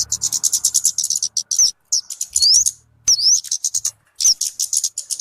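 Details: {'caption': 'Talokan (kemade) calls, suited for luring or for tutoring other birds: dense, rapid high-pitched chattering pulses broken by a few sharp upslurred whistles, with short pauses between bursts.'}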